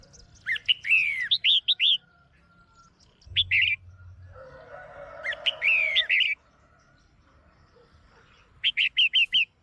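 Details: Caged female red-whiskered bulbul calling to stimulate a male or for pairing: warbling chirp phrases at the start and end, with a brief low hum and a spell of rustling noise between them.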